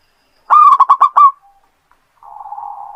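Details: A local zebra dove in strong song, used as a lure for other doves, gives a quick burst of five soft, rolling coo notes in under a second, followed by a low, steady droning hum.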